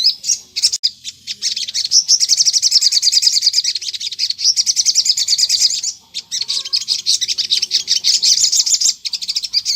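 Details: Crimson Sunbird (sogon) in lively 'gacor ngleper' lure song meant to make other sogon reply: a nearly unbroken, rapid, high, thin twittering of trilled chirps, briefly pausing near six seconds before resuming.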